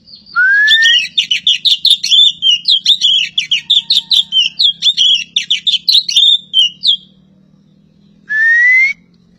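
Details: Javan pied starling from Java opens with a rising clear whistle, runs into a long fast chattering warble of squeaky notes, then ends after a pause with another rising whistle over faint low hum.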